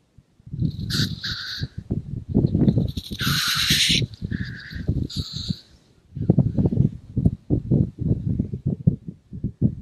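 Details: Black grouse at a morning lek, calling to impress the greyhen and put off rivals entering its space: continuous low bubbling, pulsing coos broken by several sharp, breathy hissing sneezes, one long and harsh near the middle.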